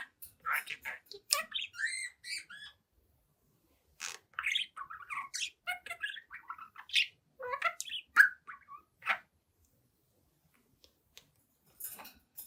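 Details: A 7-month-old budgie chatting, dancing and singing at a mirror gives quiet squeaky chirps, ticking clicks and short warbles in two bursts, with a silent stretch in between and near silence at the end.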